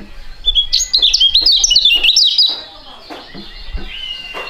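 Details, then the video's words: Two young caged songbirds of a fighting type, both successful in singing contests, sing in duet: a rapid run of loud, sharp chirps and zigzagging high whistles lasting under two seconds, then quieter scattered notes with low background thumps. "STORING DUET PRUGUT DUA BURUNG MUDA YANG SANGAT ISTIMEWA"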